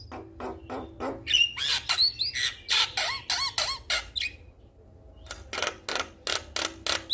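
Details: Male Javan myna calling to a female, a lure recording for caged birds: loud harsh squawking bursts and buzzy notes, some with looping rising-falling whistles, repeated rapidly with a short quiet pause mid-sequence.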